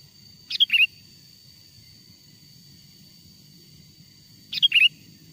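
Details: Sooty-headed bulbul song used to attract wild bulbuls; two brief fluty phrases four seconds apart, a high whistle leading into a lower quick warble, over a quiet continuous hum.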